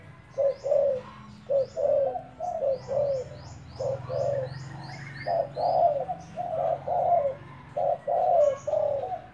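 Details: Spotted dove used as a decoy, cooing in a run of rhythmic, slightly descending notes repeated roughly every second, while thin high chirps from other small birds sound above it.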